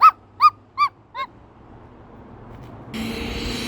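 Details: Pet Moluccan cockatoo vocalising during an outdoor walk. Four quick, hollow, hooting boks fade in loudness, followed by a burst of noise.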